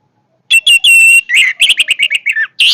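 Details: Orange-headed thrush singing a powerful song: drawn-out high whistles followed by a fast run of sharp, chattering notes that slide downward, then a final shrill burst.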